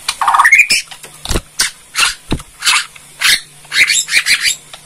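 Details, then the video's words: A Bornean white-rumped shama gives rapid, harsh crackling notes in bursts, with a rising whistled phrase at the start and a faint steady hum underneath. "KRETEKAN MURAI BORNEO PEMBANGKIT EMOSI"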